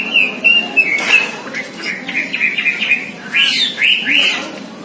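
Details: Oriental magpie-robin imitating other songbirds: a string of short whistled phrases of varied shape, followed by louder, rich upslurred whistles toward the end, over a constant low background hum.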